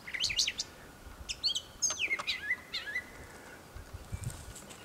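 Brown thrasher song: a rich, varied string of short whistled and chirpy phrases, some slurred downward, delivered in quick bursts over faint background hiss.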